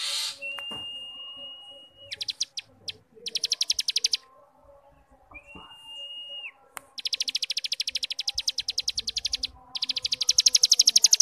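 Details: Cigun starling ngebrem song for teaching young birds: two level whistles ending in downward slurs, interspersed with short and then long series of rapid high-pitched buzzy pulses.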